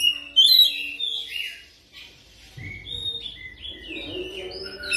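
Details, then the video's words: Oriental magpie-robin lure song aimed at fast rolling singing: a sharp loud whistle burst opening into softer slurred notes, then quiet scattered whistles against low rumbling background noise. "PANCINGAN KICAUAN KACER CEPAT NGEROL"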